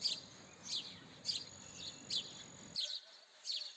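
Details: Sharp, high house sparrow chirps repeated about every half second, seven notes in under four seconds, with background noise dropping away partway through.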